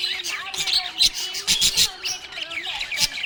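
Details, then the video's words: Happy budgerigar chirping in quick scratchy bursts with short squeaks and a steady faint hum behind. "Happy budgie chirping sound"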